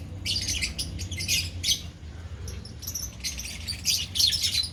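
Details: Lovebirds in a colony giving shrill, scratchy chirps in quick clustered bursts, many birds overlapping, with a steady low rumble in the background.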